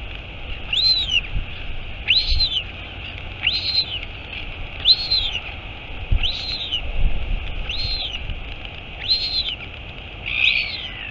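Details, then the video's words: Mother royal albatross arriving at the nest at Taiaroa Head near Dunedin, New Zealand, on 23 August 2022; eight clear arched peeping notes repeat steadily about every 1.3 seconds, with faint low knocks beneath the hiss. "Альбатрос. Прилетела мама - Albatross. Mom arrived"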